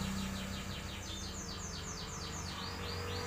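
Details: Hybrid of a canary and a black-throated canary singing a fast series of clear, descending whistled sweeps, about four per second, repeated steadily throughout over a constant low background hum.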